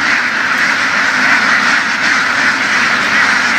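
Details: A large flock of laying ducks herded through the fields in western Vietnam, quacking all together in a dense, unbroken chorus of harsh nasal calls with no clear gaps.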